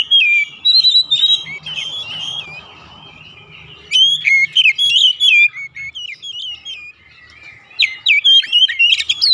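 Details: Oriental magpie-robin song used to coax home-kept magpie-robins into singing, with a loud whistled opening phrase, a quieter interval, then two more bursts of varied sweet whistles and crisp chips.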